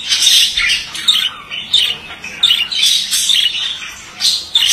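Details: Male budgerigar giving a bright, squeaky, twittering warble with loud clicking accents and short pauses between bursts.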